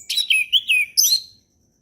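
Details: Relaxed ngeplong song of an orange-headed thrush, used to teach young birds: a rapid run of four or five rich whistled, warbling notes sliding up and down, ending abruptly in silence.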